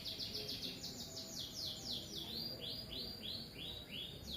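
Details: Atlantic canary song, more distant and softer: a steady string of repeated downward-curving whistled notes, roughly four per second, over a noisy background hiss.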